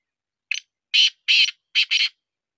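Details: A black francolin of Sindhi breed gives a clean, close call of five rasping bursts: a brief first note, two broad harsh notes of similar length, then two shorter notes run together. No other sounds.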